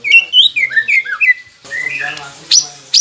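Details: Whistled phrases of a white-rumped shama, from a masteran recording meant to prompt quiet birds into song: several sweet, slurred notes, then a softer rising whistle over a faint hiss and a couple of sharp clicks.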